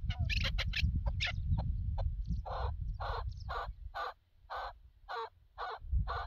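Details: Chukar partridge heard in a partridge hunting context: a few quick sharp notes, then slower, louder drawn-out chuck calls about once per second, over strong low-frequency noise.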